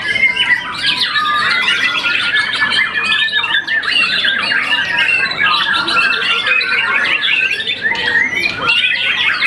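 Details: Young white-rumped shama that won a contest after one moult, singing loud, rapid, jumbled chirps and slurred whistles with rattling segments, continuous across the clip.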